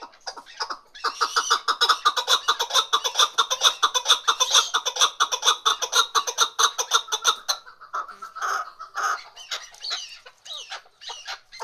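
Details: Female chukar partridge: after a brief hesitant start, a long, loud run of rhythmic clucking chuk notes, roughly two a second, for about six seconds, then trailing into a few irregular softer and higher notes.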